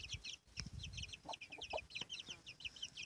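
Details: Domestic hen with her chicks: a steady stream of high, thin peeps from the chicks, each sliding downward and overlapping, with a few short, low clucks from the hen in the middle and soft rustling below.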